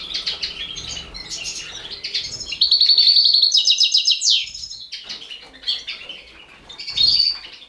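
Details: European goldfinch of the balcanica subspecies feeding four baby canaries. High, rapid chirping and twittering begging calls come in excited bursts, including fast trilled runs near the middle and a short burst near the end, with soft rustling between.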